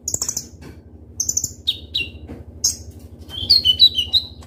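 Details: Kolibri ninja sunbird, a kept bird: spaced high buzzy notes and short whistles, ending in a quick tumbling burst of sharp, falling chirps, over a faint low hum.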